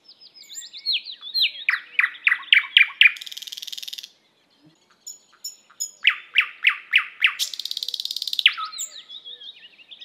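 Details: Thrush nightingale pouring out loud series of hard, clacking notes that run into dry buzzing rattles, pausing briefly, then repeating the sequence with high ticking notes between phrases.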